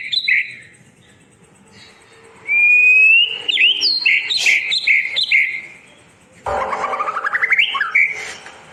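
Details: Long-duration white-rumped shama song meant to coax silent birds back into singing: quiet opening notes, then a loud stretch of mixed whistles and sharp chips, and later a rising, buzzy trill.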